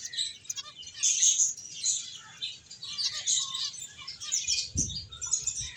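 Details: Finches at play and feeding produce a steady stream of high, rapid chirps and twitters, several birds overlapping, with a soft thump near the end.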